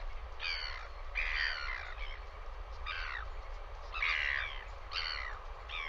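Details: Northern royal albatross on a live nest camera, New Zealand, during a visit by another bird: harsh, nasal, braying squawks in bursts about a second apart, over low wind rumble.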